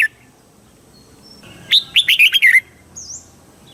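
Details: Red-whiskered bulbul in Thailand delivering southern master-style song for exciting birds and tutoring young ones; a single fast, rolling phrase of six or seven bright warbled notes, then a faint high whistle.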